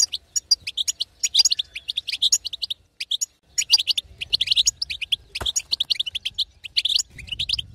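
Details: European goldfinch female batbata, used to provoke a quiet male into song: bright staccato chirps and twitters in uneven bursts, a faint click near the middle.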